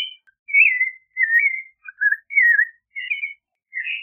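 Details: Clay-colored thrush sings rich slurred whistles, some phrases long and wavering, others short, with irregular gaps and a rising note to finish.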